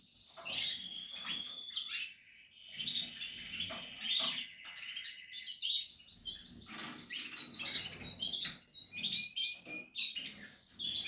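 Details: Several Portuguese harlequin canary chicks in a captive nest calling in high overlapping squeaks and chirps, in pulsing bursts with rustling movement.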